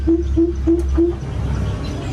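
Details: Coucal in an aviary calling to its flock: four deep, low hoots evenly spaced about a third of a second apart, then stopping, over a steady low hum.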